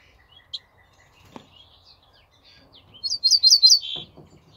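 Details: Ortolan bunting singing on 28 May 2024: after scattered faint chips, a bright phrase of five quick, high, descending-slurred notes, then one lower, drawn-out buzzy note. A soft knock follows at the end.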